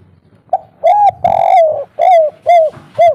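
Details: Spotted dove with a local 'kuk 3' style voice, used as a lure to make other birds call back: soft, mellow cooing notes, a short opener then several rounded, slightly falling coos about half a second apart.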